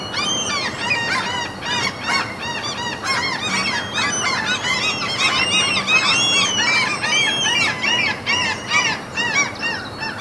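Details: A dense seagull colony by a fjord in the Norwegian mountains: many birds giving rapid, arched, nasal cries, overlapping continuously at roughly two or more calls per second.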